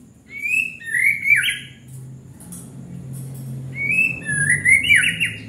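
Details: White-rumped shama giving two matching phrases of rich whistled notes, each rising then dropping into a buzzy ending, the pair separated by a quiet gap with faint background hum.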